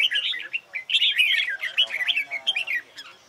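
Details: Short burst of red-whiskered bulbul fighting song used in competition training, with dense, rich whistled notes tumbling together, loud and continuous with one brief break.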